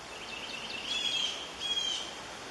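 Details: Red-shouldered hawk nestlings, two chicks, calling while a parent arrives to feed them: a series of faint high piping notes leading into two longer thin whistles, with constant outdoor noise.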